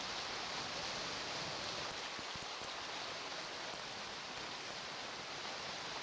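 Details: Continuous rain hiss with a few sharp drops and no calls from any animal.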